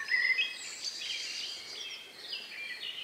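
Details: Countryside at dusk, around 9 p.m. on May 2, 2020, as the last birds sing before night. A brief whistled phrase opens, then fainter high chirping and warbling blend into the background of distant birds.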